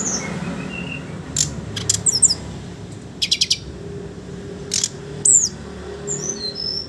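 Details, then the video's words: Chattering 'ngeriwik ngeplong' song of a Sooty-headed bulbul, played as a lure for raw young birds: scattered high chirps, a quick burst of four clicking notes, then thin downslurred whistles near the end over faint hum. "Burung SRDC Ngeriwik Ngeplong Untuk Pancingan SRDC Bahan"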